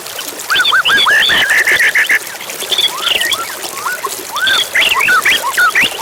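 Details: Provoking white-rumped shama song over river sounds; dense bursts of upslurred whistles and rapid varied notes in phrases, with a quieter stretch between, all above steady flowing water.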